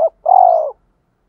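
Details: Spotted dove giving a challenging coo to stir a rival: a clipped note ends, then a single long, even, throbbing coo slowly sinks in pitch before silence.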